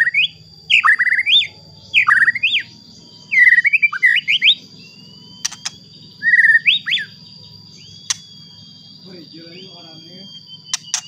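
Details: White-rumped shama singing as a lure to make other shamas sing: repeated loud looping whistled phrases in separate bursts, with clicks, a low hum and a constant high tone in the background.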